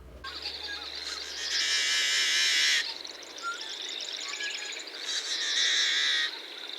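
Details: Yellow-headed blackbird male, a bird of Western North American marshes, giving its scratchy buzzing song: a few clicky notes leading into a long rasping screech, repeated twice.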